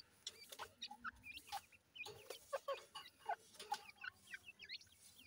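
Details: Soft, high, slurred chirps from grey francolin chicks as they feed, spaced irregularly over a quiet background with a few faint taps.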